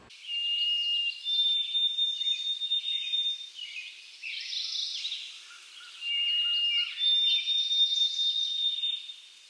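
White-throated Sparrow singing twice: pure, high whistles, a lower held note stepping up to higher ones, like 'oh sweet Canada Canada', with faint background noise.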